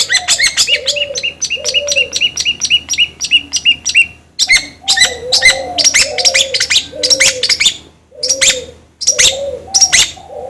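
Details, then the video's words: Lure song of a long-tailed shrike meant to make another bird sing fast: a run of high clipped whistles over low hollow coo-like notes, then mixed chattering phrases and sharp rising whistles. "PANCINGAN CENDET AGAR CEPAT gacor"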